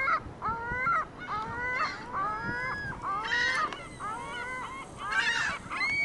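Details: Gulls in a Michigan City parking lot giving a run of harsh, harmonic, slightly rising calls, several birds overlapping, each cry about half a second long with short gaps, over steady low background rumble.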